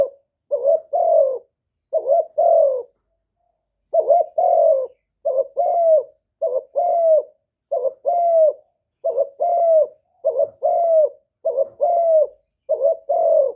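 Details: Spotted dove decoy bird cooing in the one-ending style used to provoke wild doves: two-part phrases, each a short wavering note and a longer, falling coo, repeated steadily about every second with one brief pause, no other sounds.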